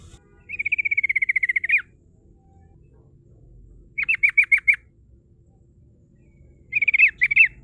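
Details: Sooty-headed bulbul in rolling "ngerol" song, played as a lure to draw rivals: a long rapid trill lasting over a second, followed by two clipped bursts of quick repeated notes with silence between.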